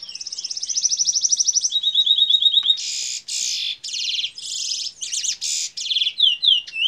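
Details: Trinidad-bred canary x red siskin mule singing the bullfinch role: a loud, fast trill of rapidly repeated high notes, then a lower even trill, then dense buzzy rattling bursts and short swooping phrases.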